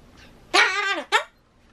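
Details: A pet Ducorps's cockatoo doing its everyday talking gives two quick, harsh voice-like utterances, a longer wavering phrase then a short clipped one, in a quiet room.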